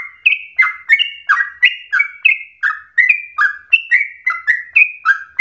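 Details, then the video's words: Yellow-vented bulbul giving a fast run of bubbly, liquid chirps, about three notes a second, each note dipping or sliding in pitch. "PANCINGAN TERBAIK agar trucukan menjadi gacor ropel nafas panjang"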